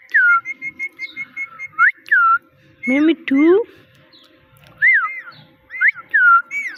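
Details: Pet talking parrot: a quick run of repeated whistled chirps sliding down, two low rising meow-like syllables in the middle, then several arched whistles that climb and fall.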